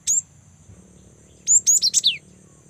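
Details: A young cinereous tit (Parus cinereus) in lively song, used as a lure to prompt other tits to sing, gives one thin, high chirp, then a quick run of five sharp, high notes, over a faint steady high-pitched whine.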